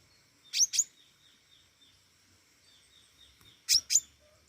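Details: Pentis raja flowerpecker singing actively: two bursts of doubled high, clipped ticks, separated by soft thin whistles, against a quiet background.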